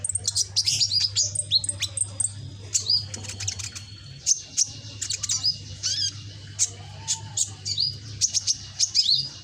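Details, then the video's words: Young captive sunbird with red back, still learning song, pours out rapid high-pitched chattering and scratchy twitters, then sparser sharp chips, over a continuous low electrical hum. "Burung Kolibri ninja punggung merah ijoan gacor"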